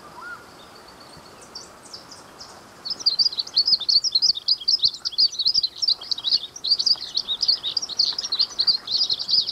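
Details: Azulinho, the Glaucous-blue grosbeak, begins its song after about three seconds of near quiet, then pours out a long, rapid stream of sharp, high twittering notes, roughly three per second, without stopping.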